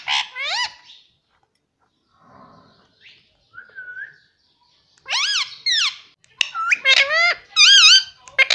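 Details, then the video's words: Talking pet Indian ringneck parrot saying mummy and papa. Bursts of sharp, rising, nasal speech-like syllables come in quick clusters, with a short whistled note in a quieter middle stretch. "papa bolne vala indian parrot"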